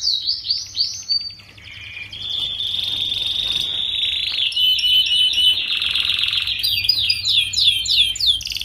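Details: Young canary song used to tutor groups of young canaries to sing sooner. It opens with sweeping whistles, then runs into a long buzzy sustained stretch overlaid with rapid high rolling trills and sharp chirps.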